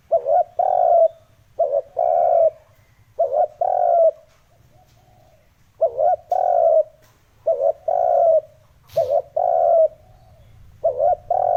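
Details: Spotted dove lure recording for attracting wild birds: repeated phrases, each two short coos and a rough sustained note, come in pairs separated by short gaps. A constant low hum and one click sound in the background.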